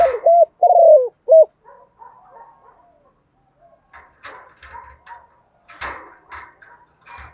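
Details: Decoy spotted dove cooing in the morning to call wild doves to the flock: a quick phrase of short coos followed by a longer coo and a final clipped note, then quieter scattered bird sounds and faint clicks.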